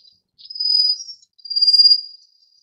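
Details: Rufous-faced warbler giving two high, thin, buzzy trills, the first under a second and the second slightly longer, each held at a steady pitch with a fine rapid pulse and separated by a brief pause.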